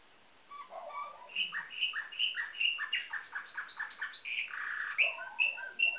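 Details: Canary with nightingale-type song, Varna, Bulgaria, 2013: a few soft low notes, then a series of ringing whistled notes repeated several times, followed by a rapid rolling run and more sharp whistles.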